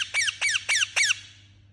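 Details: Parrot chirping angrily with four strident, evenly spaced squeaks, each bending sharply downward with a raspy edge, trailing into a fading echo and low hum.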